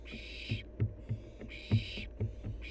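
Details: Wild barn owl fledgling at play: loud, broadband hissing bursts about a second apart, with soft low thumps and knocks between them.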